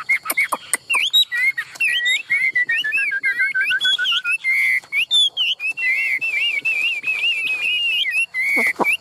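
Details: Caged Chinese hwamei singing a rich, rapid run of loud whistled phrases. Sharp clicks come first, then sliding, looping notes that rise and fall, shifting between lower and higher whistles with short breaks.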